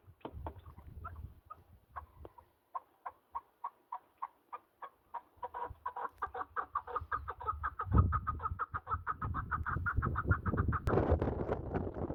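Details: Mountain partridges: sharp chuckling notes repeat about three times a second and gradually speed up into a dense rattling chorus. A loud noise burst comes near the end.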